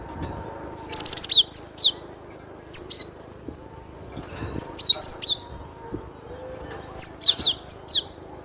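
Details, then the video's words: Cinereous tit singing in bursts of crisp high whistled notes, quick rising chips followed by slurred downward whistles, three phrases spread over several seconds against a faint low background hum. "SUARA BURUNG GLATIK BATU PALING RENYAH"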